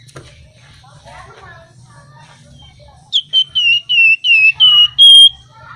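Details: Flamboyan songbird in lively, flute-like song. A run of seven loud, clear whistled notes at similar pitch, each slightly falling, the last one held longer. A soft murmur and low hum come before the notes.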